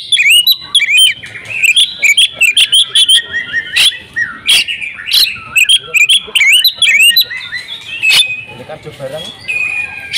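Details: A home-kept female oriental magpie-robin sings persistently, pouring out fill-in material: a dense, continuous stream of varied whistles, twitters and sharp clicks with hardly a pause for ten seconds.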